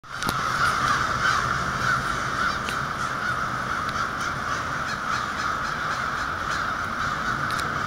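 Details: A huge flock of crows near an apartment in lower Michigan in fall 2009: many overlapping harsh caws blend into a continuous raucous din, with scattered sharper calls standing out above steady background noise.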